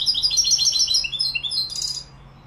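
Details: A Moroccan European goldfinch in the Malaga song style gives quick, silvery twittering phrases, rising briefly into higher ringing notes before falling quiet.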